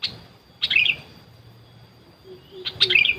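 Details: Sooty-headed bulbul call played to lure wild birds, which ignored it; two short bursts of bright, jumbled chirping notes about two seconds apart over a quiet background with a faint low hum.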